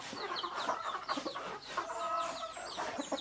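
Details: Native chickens, roosters and hens, in a crowded chorus of quick, harsh clucks and cackles, with bird chirps above.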